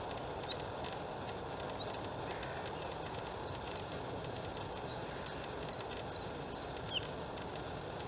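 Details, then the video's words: Singing male white-spotted Bluethroat, Halmstad harbour landfill reeds, Sweden, 6 May 2017: thin notes start softly, then build into a series of louder repeated ringing chirps, ending in higher sharp double notes; low constant rumble behind. "Blåhake/Luscinia svecica cyanecula/Bluethroat"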